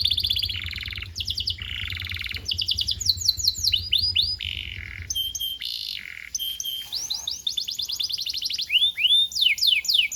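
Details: Canary singing as tutor for young canaries: buzzy rolls, rapid trills and arched whistles in varied phrases, a low rumble under the first half.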